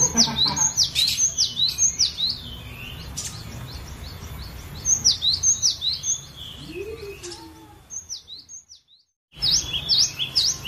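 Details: Varied chattering song of a captive cinereous tit, used to train other birds: fast runs of high, clear, down-slurred whistles repeated about twice a second, a lower rising note midway, and a brief silent break.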